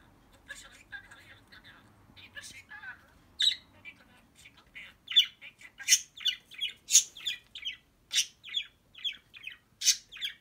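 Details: Pet budgerigar that lives with a dog and mimics it, chattering away indoors: quiet soft twitters at first, then loud harsh scratchy bursts repeating roughly every half second, a busy rasping warble.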